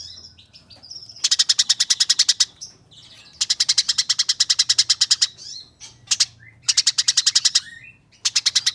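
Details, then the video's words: Eurasian tree sparrow used as a tutor recording for competition birds: fast rattling bursts of harsh, broadband chirps, about ten notes per second in runs of one to two seconds, with soft thin whistles and twitters between bursts. "Gereja Nyerecet Ngeroll Abis"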